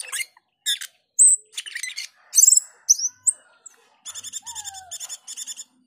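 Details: Male black-winged starling mixing harsh chatter and sharp whistles, then a rapid, regular run of about ten crisp repeated notes with a soft descending whistle underneath.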